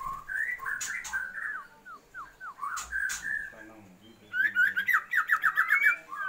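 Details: Female Oriental magpie-robin calling to the male to raise his breeding drive: whistled notes and short slurred downward strokes near the middle, then a fast burst of rapid repeated buzzy chirps; a few sharp clicks.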